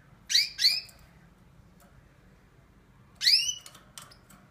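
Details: A European goldfinch kept with a canary during their third clutch, 2 May 2016, gives three bright, twittering notes that sweep high, two quickly together and then one after a pause, with faint clicks in a quiet room.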